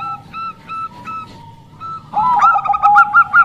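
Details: Zebra dove of the Bangkok type, a female's voice used to lure males: soft repeated paired coos, then from midway a louder run of quick clipped double notes over a lower steady tone.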